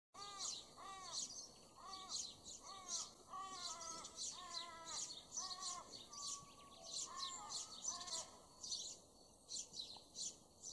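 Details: Noisy miner calling in an Australian backyard garden: a fast run of harsh, arched chevron notes, about two a second, with thin high chirps overlapping throughout and one brief steady whistle near the middle.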